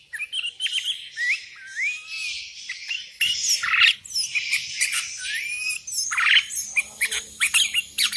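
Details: Sooty-headed bulbul, a vocal bird calling to rivals while wild bulbuls answer: dense overlapping chirps and short rising whistled notes from several birds, bursts every few seconds, louder busier chorus in the second half.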